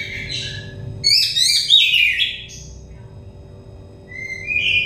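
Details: Oriental magpie-robin song played as therapy for a stressed bird to bring it into song: clear, varied whistled phrases with rising and falling slurs, a loud burst of notes in the middle, then a short rising whistle over a faint low hum.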